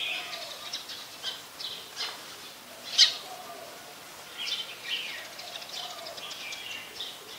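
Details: Brown-throated sunbird at Ubon Ratchathani, Thailand, 2 January 2021, giving brief high chirps and thin ticks at irregular intervals, one sharp louder click near the middle, against faint steady background noise.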